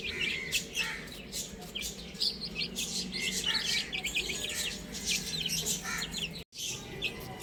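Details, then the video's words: Chicks on a roof chirp busily in a dense high chorus against a broad noisy background, with the sound cutting out briefly near the end. "Adorable Chicks Chirping Sounds"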